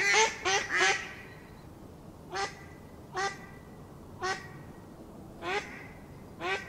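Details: Three quick raspy quacks from a Mallard open the sequence, followed by single nasal calls separated by pauses of about one second, against a steady faint hiss.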